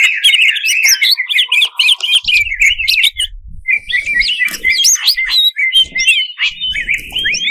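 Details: Greater green leafbird, cucak cungkok, song used as a provoking master to rouse competition birds: rich, rapid run of whistled, slurred notes, twisting and warbling, with brief pauses and faint low thumps.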